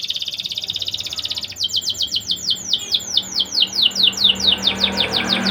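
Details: Song of a persistent singing canary, played as a lure to raise breeding condition in young canaries. A rapid, buzzy high trill switches abruptly into a quick, regular string of falling whistled sweeps.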